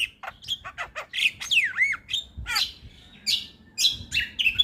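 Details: Javan myna singing as a master recording for other mynas: loud descending and rising whistled slurs, clipped chirps and squawky buzzes in quick bursts, fairly clean with only a faint low hum.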